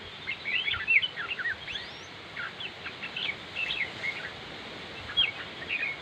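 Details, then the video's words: Red-whiskered bulbul: busy run of quick chirps and slurred whistles in clusters, with a few louder notes standing out over faint steady background noise. "chim chào mào diab kuam lauj quaj zoo heev"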